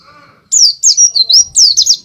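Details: A white-eye sings loudly in the ngalas style used for luring birds. After half a second of faint hum come five bright, high, twisting whistled phrases in quick succession.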